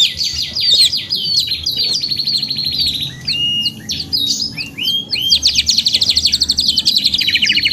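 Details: Canary singing a chain of trills and whistles, with held buzzy rolls, abrupt pitch jumps, brief chirps, and a fast high pulsing trill near the end.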